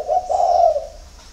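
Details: Single spotted dove coo recorded in early morning at a dove farm in Ba Vì, Hanoi, Vietnam: a short note and then a long, buzzy, rolling hum that fades away.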